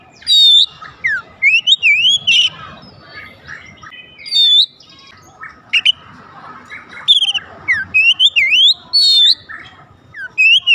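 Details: Oriental magpie-robin singing to provoke others to sing: loud bursts of bright whistled and slurred phrases, some sharp downward sweeps, delivered in quick runs separated by short pauses across about eleven seconds.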